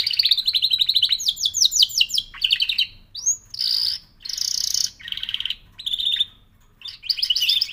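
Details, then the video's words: Singing canary pours out rapid rolled trills, clipped rising notes and bright buzzy bursts in short blocks, each separated by brief gaps. "L'oiseau canari chante"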